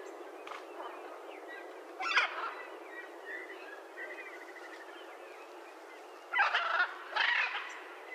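Harsh, raspy macaw squawks come in short bursts, one early and a pair near the end. Softer tonal chattering and a steady background hiss fill the gaps.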